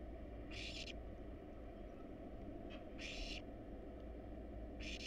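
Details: Three broad, wheezy begging screeches from wild barn owl nestlings at a research nest box while being fed a rat and rabbit, separated by quiet gaps over steady low noise.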